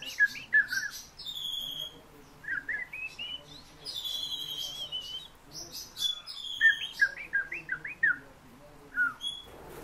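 Fieldfare song: a jumble of squeaky, rising chirps and thin whistles, with bursts of a few notes each second and brief pauses. A low background hum underneath.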